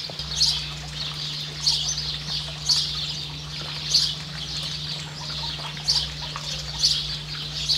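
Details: Variable oystercatcher accompanied by a chick in New Zealand, giving brief piercing high notes at roughly one-second intervals, each a quick sharp burst, with a constant low hum running underneath.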